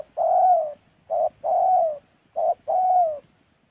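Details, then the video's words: Spotted dove calling in Gia Lai, Vietnam's Central Highlands, in a trapping setting: pairs of a short low coo followed by a longer, slightly falling croon, repeated about every 1.2 seconds, clear and close. "Bẩy Cu Gáy"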